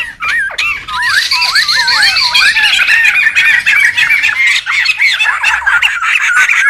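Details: A noisy wild group of laughingthrushes, used to lure and tutor birds: quick repeated curling whistles open the clip, then merge into a thick, continuous chattering chorus of many overlapping voices.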